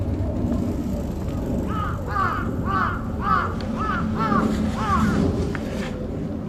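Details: Crow in Aoba-no-mori Park, recorded 28 May 2017, giving what is described as an earthquake warning call: about seven hoarse, arched caws in an evenly spaced series roughly every half second, over a steady low rumble of urban background noise.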